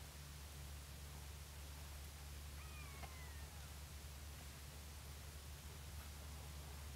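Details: A Long-legged buzzard on a winter afternoon gives a single thin, mewing call that slides downward over about a second, over a steady low rumble and hiss.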